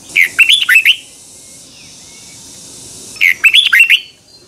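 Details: Red-whiskered bulbul's double twisting morning training song for tutoring kept birds: two bright, chattering phrases of five or six quick notes each, about three seconds apart, over a soft background hiss.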